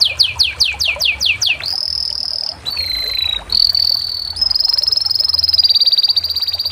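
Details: Canary song opening with a run of six or seven loud descending swoops, then shifting into steady high trills and a fast buzzy roll at a slightly higher pitch.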